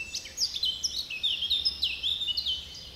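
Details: Several woodland birds sing in the Bois de Géline at Torgny: high, quick whistled phrases with rising and falling slurs over a steady low hiss of background noise.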